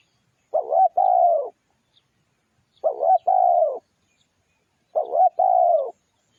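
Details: Spotted dove song played as a lure: three loud cooing phrases, each a short throaty two-part coo then a longer, steadier coo that falls at the end, repeated about every two seconds against silence.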